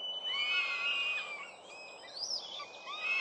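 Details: Northern goshawk young at a nest nearing season's end in the New Forest, 11 June 2012, four fledged; a drawn whining wail sliding slightly, then fainter overlapping upward-inflected whines from more than one bird.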